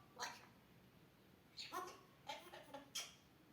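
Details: Grey parrot kept as a pet, coughing and talking like a human: several short broadband bursts with harmonic bands, scattered over a few seconds in a quiet room.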